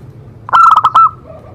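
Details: Zebra dove singing to prompt other doves to sing: one short phrase of stuttering, quick coos that ends in a held note, then a faint soft coo against a low hum.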